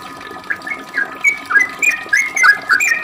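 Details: Brief burst of sooty-headed bulbul lure song, fast 'ropel' style to set other bulbuls singing: quick chirped and slurred whistles that grow louder and denser after a quiet start.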